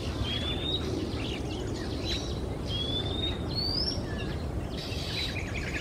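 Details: Singing male Oriental magpie-robin in Singapore during a quiet afternoon, flying between perches; several long, clean, slightly rising whistled notes mixed with short scratchy phrases, steady low rumble of ambient noise beneath.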